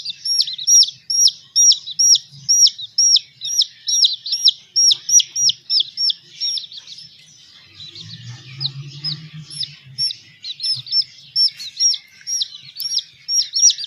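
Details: Baby chicken chicks being raised, calling: a steady run of high, sharp, hooked peeps, several each second, with a soft low hum in the middle.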